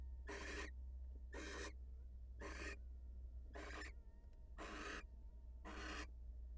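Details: Wild barn owl, the female leaving her nest to greet her mate: a series of six coarse, breathy hiss bursts spaced about a second apart, with a low mechanical hum underneath.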